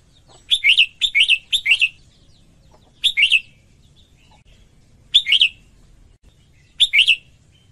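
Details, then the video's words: A female red-whiskered bulbul sings to excite males. A rapid burst of three bright, warbling whistled phrases is followed by single phrases at roughly two-second gaps, six phrases in all, each rising then dipping, with no other sounds. "Chào Mào Mái Hót Kích Trống Căng Lửa"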